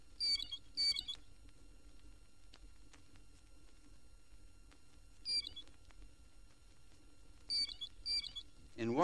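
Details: Blue Jay in Florida, 1969 record: short, bright, ringing calls in pairs, spaced several seconds apart, over a faint steady hum from an old recording.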